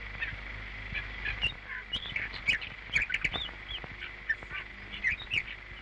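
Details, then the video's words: Common Nightingale singing, a bird described as once common in European thickets, scrub and countryside, its voice marking territory; varied short chirps, trills and upslurred notes in uneven bursts over a steady background hiss. "Pero antes, vamos a solazarnos un poco con el canto del ruiseñor."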